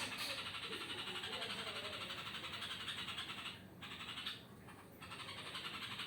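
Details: Yellow-vented bulbul at night making a strange sound: a steady stream of harsh, rasping notes, about four each second, running on with only brief breaks.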